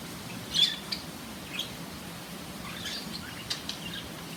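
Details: Two budgerigars of different colours; one gives a few soft, high chirps and brief scratchy notes with pauses between.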